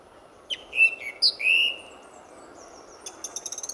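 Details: Male song thrush singing before sunrise on an early February morning in 2014 at RSPB Fowlmere, a reserve full of territorial thrushes; a few loud, clear whistled notes, some sliding downward, then a quieter burst of rapid high chirps.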